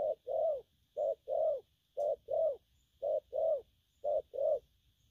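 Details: Spotted dove, a newly wild-caught bird, repeating gù phóng and gù lăn coos: five paired low notes, clipped then drawn-out and gently falling, evenly spaced near one per second.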